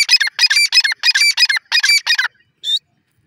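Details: Grey francolin, known locally as teetar, calling: loud, harsh, squeaky notes in rapid bursts, about seven quick repeated phrases over two seconds, then one shorter note after a brief pause; nothing else audible.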